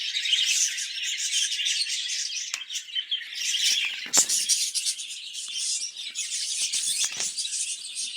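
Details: Caged budgerigars kept for breeding, in a cage where they lay many eggs; a dense, continuous high-pitched warbling chatter of many overlapping chirps and twitters, with a few sharp clicks or taps.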